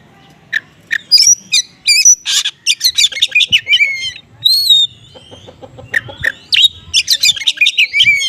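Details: Konslet-style oriental magpie-robin song packed with small-bird material, meant to draw a response from other magpie-robins; loud rapid bursts of chirps, trills and whistled slurs, dense at first, a brief pause, then renewed fast chatter.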